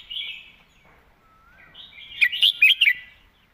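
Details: Red-whiskered bulbul in the clearly worded 'doen phleng mae bot' song style. A soft warble and a low rising slur lead into a bright cluster of five quick, loud, chortling whistles.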